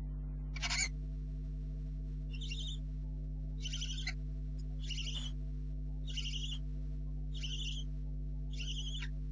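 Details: Barn owl owlets in the nest before dawn, 4 July 2013 at 04:30, likely only two remaining; a loud first screech then six raspy hissing snores roughly every 1.3 seconds, steady low mechanical hum beneath.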